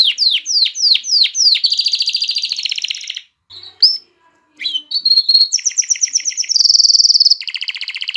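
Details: Male canary in an excited state singing to ready females for mating: a series of quick downslurred notes, then a rolling trill, a short pause, and varied whistles and shrill high trills.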